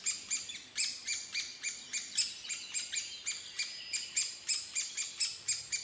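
Red-headed woodpecker giving harsh, scratchy, high notes in a quick, uneven series of about four a second, with no other sounds.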